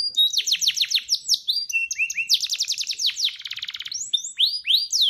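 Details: Yellow canary singing a training song: rapid series of high rising and falling whistled notes, fast trills and a buzzy rattling stretch, varied phrases delivered without pause.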